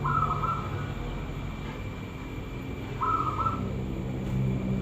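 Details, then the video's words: Zebra dove song used as a lure so other doves reply: two brief, rolling, mellow phrases about three seconds apart over a constant low hum and faint whistling noise. "burung perkutut bagus buat pancingan pasti nyaut"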